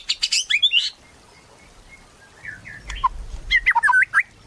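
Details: White-rumped shama singing in loud bursts of rich, varied whistles and quick chattering notes, a burst at the start, quieter slurred whistles in the middle, then another rapid flourish near the end.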